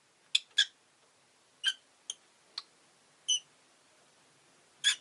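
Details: Rosy-faced lovebird giving brief, sharp, shrill chirps, about seven single notes spaced irregularly over five seconds, some with a clear ringing tone, above a faint steady hiss.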